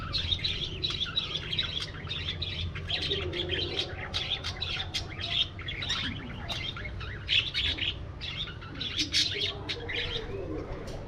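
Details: Budgerigars in a spacious aviary, flying and playing together: a dense, continuous flock chatter of quick high chirps and warbling squeaks with louder peaks, over a steady low background hum.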